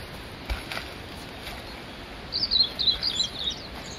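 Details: On Mount Migita a male Blue-and-white flycatcher delivers a rapid string of high, pulsing whistled notes in the second half, after a couple of soft clicks near the start.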